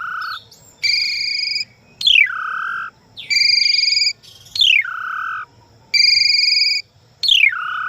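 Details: Asian pied starling in full, lively song: loud whistled phrases, each a stack of steady tones or a sharp downward slide, repeated about every second and a half with short gaps, over a faint low hum.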